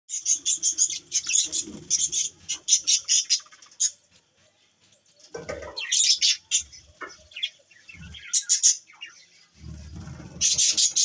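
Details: Pet budgerigars in the morning give bursts of scratchy, high chattering chirps in quick runs, with short pauses and one near-silent gap midway.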